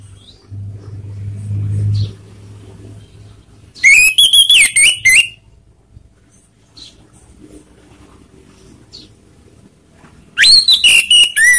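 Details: Lure song of an orange-headed thrush, played to make rival birds aggressive: two loud bursts of rapid, ringing whistled notes, each about a second and a half long, with a wavering pitch. A quiet gap of several seconds separates them, with faint low murmurs.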